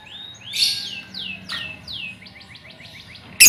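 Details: Young lovebirds in a colony, a recording meant as a lure to prompt trilling: a run of high, downward-sliding chirps, spaced at first, then quickening into short repeated notes, ending in a sharp burst.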